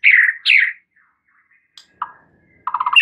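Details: White-rumped shama song serving as a lure to make a shama sing its full repertoire: two loud downslurred whistles, a pause, then a short burst of rapid low rattling notes.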